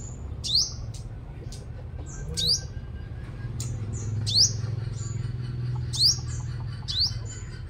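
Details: Five-coloured sunbird, Long Thành, Đồng Nai province, Vietnam, lure song: around six shrill upward-sweeping chirps every one and a half to two seconds, with faint thinner ticks between and a constant low hum.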